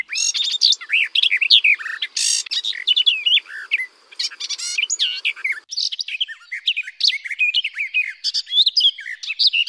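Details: Garden warbler song, amplified: a fast, rich, unbroken warble of mellow chirps and quick runs, rising and falling without pause. Nothing else is heard.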